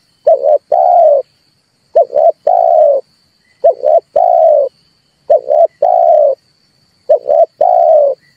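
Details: Five evenly spaced phrases from a red collared dove, used to excite birds to call and draw them to traps: a brief double coo then a drawn, slightly falling coo, under a faint continuous high hum.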